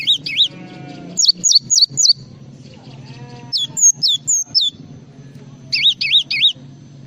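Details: Tutor recording of Java sparrow singing: bright, looping high notes delivered in clipped runs of three to four, separated by short pauses, with a steady low hum and a brief faint buzzy tone in the background.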